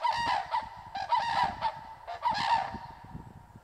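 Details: Loud klangor of common cranes in Masovia, Poland: bursts of ringing, trumpet-like double and triple notes from several birds in quick succession, with short gaps between groups and calls fading toward the end.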